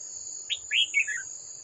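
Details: Old red-whiskered bulbul from the wild, confronting a decoy bird at a trap on 18 July 2024, sings a quick sequence: a high opening note, a strong swooping chirp, and descending trilled notes, over a steady shrill insect hum.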